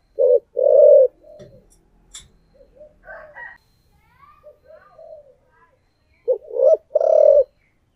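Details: Decoy spotted dove in the 'thổ' voice: two-part coo phrases open and close the recording, short note then long purring coo. Softer scattered chirps and a faint voice-like murmur fill the gap between.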